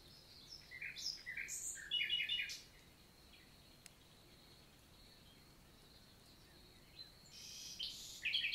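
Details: Common nightingale in summer daytime song in the Célé valley forest, Lot, south of France, recorded 11 June; varied phrases of quick repeated chirps and trills, a long quiet gap, then a loud fast trill at the end.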